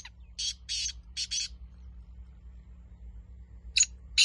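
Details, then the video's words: Kala teetar calling: a phrase of four rasping, grating notes, then near the end two more sharp harsh notes after a pause. "Teetar voice kala teetar"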